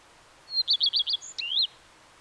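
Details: Common redstart song: a thin high opening note, then a short run of five quick descending twittering notes and a rising-falling whistled flourish at the end, over a quiet background.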